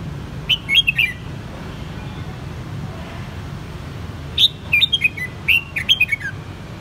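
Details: A captive red-whiskered bulbul in Saigon, Vietnam, raised from a juvenile, gives two bursts of bright, liquid whistled notes, dipping and warbling, several seconds apart, over a low steady hum.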